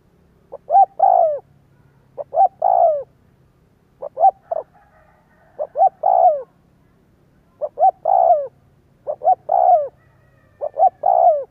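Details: Spotted dove lure call used to make other doves coo: six low, mellow phrases of two short notes and a longer falling croon, repeated about every two seconds over a faint low hum.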